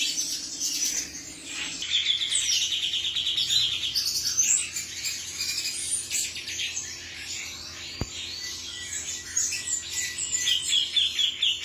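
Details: Extended song of a male cucak cungkok: fast, high chattering trills and chirps running on with brief gaps, one sharp click near the middle, a low hum throughout.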